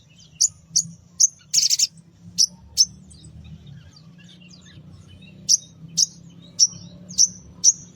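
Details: Sogon pastol in morning song, used to draw small birds: short piercing whistled notes repeated roughly every half second, one brief buzzy burst, a pause of about two seconds, then more evenly spaced whistles.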